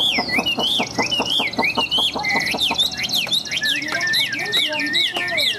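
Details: Tame Chinese hwamei offered for sale in Vietnam, described as singing nonstop with a very loud, ringing voice. It gives rapid, loud whistled phrases that swoop up and down in quick succession over a steady buzzy trill, with faint low background sounds.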